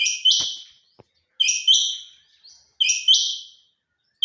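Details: Female quail known as chinga batair giving high, buzzy two-part calls, each a quick note then a longer one, three phrases about one and a half seconds apart.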